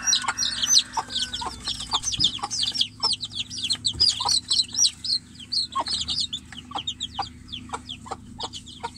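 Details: Chicks kept in a cage while the hen waits outside, crying for her: sustained, frantic high-pitched peeping, downslurred notes piling up densely at first, then thinning into separate sharp calls.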